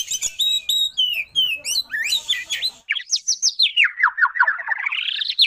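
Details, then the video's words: Oriental magpie-robin singing with tail spread: loud, varied whistles and chirps, then a fast rolling run of notes that slides down in pitch and climbs back up. "KACER ISIAN MEWAH❗KACER ROLL TEMBAK"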